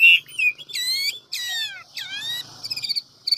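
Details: A large Chinese hwamei sings a fast, multi-voiced forest-style song of high phrases: a steady whistle, arched ringing notes, falling slurs, then quick stuttering trills.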